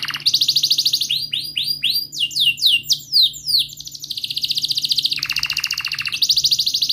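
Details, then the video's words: Canary rolling song played to get a silent canary singing: fast trilled roll, a run of sharp downward-sweeping chirps, then more even buzzy rolls at two pitches. "Kenari Gacor Panjang Cuit cuit Ngerol,TERAPI AMPUH Kenari MACET, Pancingan Kenari Paud Belajar Bunyi"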